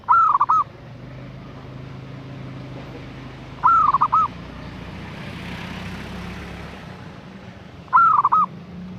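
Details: Female zebra dove calling to attract a male: a short, rapid, bubbling trill of mid-pitched cooing notes, repeated about every four seconds over steady background noise.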